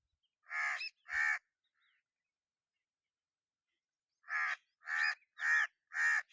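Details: A crow gives two quick harsh caws, falls silent for about three seconds, then resumes with a run of four rasping caws at a steady pace.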